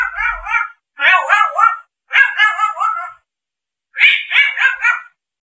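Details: Grey parrot giving four separate bursts of raspy, undulating calls. Each burst holds three or four wobbling syllables, and the bursts are spaced about a second apart.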